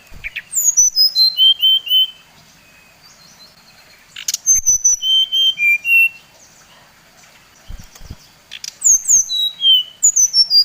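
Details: Brown-chested jungle flycatcher of the Bali type singing to provoke other birds: three bursts of bright whistled phrases, each sliding downward through several clear notes, separated by short silences.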